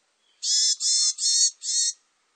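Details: Varied tit voicing a run of four hoarse, nasal buzzes, evenly spaced and of equal length, over a silent background.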